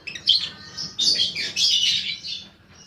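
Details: Lure recording of a young paud fighter lovebird: a dense, harsh, high-pitched chatter in three sustained bursts, scratchy and buzzing, fading at the end.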